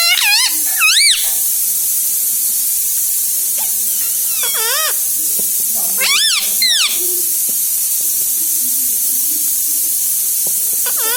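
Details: Pet parrot that talks, repeating words like mummy and mithu; several bursts of wavy, harmonic, voice-like syllables spread over the stretch, some paired, over a steady hissing background.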